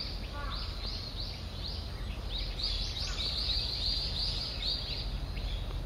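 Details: Grey wagtail foraging for breakfast in a wooded park in early morning, giving sharp, high chirps in quick series, several per second, over a steady low rumble of background noise.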